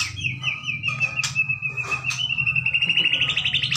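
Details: A Bahorok-type White-rumped shama sings a rich, fluty song of rapid whistled phrases and trills around mid-high pitch, over a steady low hum.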